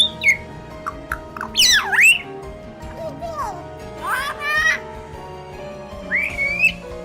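A hill myna gives loud, varied whistles and harsh squawks, some sweeping up and down sharply, in bursts over several seconds; soft music plays underneath.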